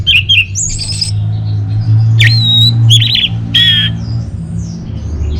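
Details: Caged Orange-headed thrush from northern Bali singing as a lure and master song: scattered whistles and squeaky, slurred notes, some dropping then rising, with a humming background.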